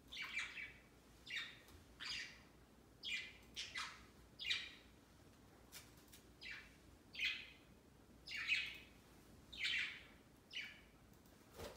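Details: Pet budgies on a large Christmas tree placed beside their cage, Christmas Day; steady, irregular chatter of scratchy downward-sweeping chirps, about twelve in quick succession, some paired, over faint household hum.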